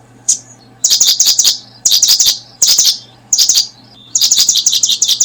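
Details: Brooding paddyfield pipit, heard as bursts of quick, sharp high chirps in groups of four or five, separated by short silences, with a faint low hum beneath.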